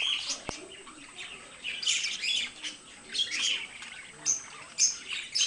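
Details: Chirping, buzzy warble from two pet budgerigars, rising in intensity toward the middle, followed by several short, high, thin whistles repeated near the end.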